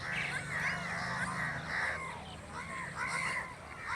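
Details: Natural crow calls: a string of harsh, arched caws repeated in quick succession, with a low hum and faint voices in the background.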